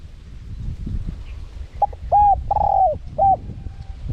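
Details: Spotted dove in wild-style cooing for luring wild birds. A short clipped note, then a mellow coo, a long wavering coo, and a final short coo in quick succession over low rumbling noise.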